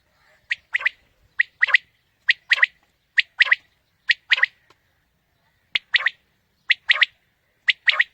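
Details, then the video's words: Quail calling, a recording used to lure quail for morning hunting: a sharp short note followed by a quick doubled note, this three-part phrase repeated roughly once a second against a quiet background. "Batair ki new Awazay| Quail Calling 2020 | Batair Ki Awaz suba ki shikar Ki liye|Saaf Batair Ki Awaz"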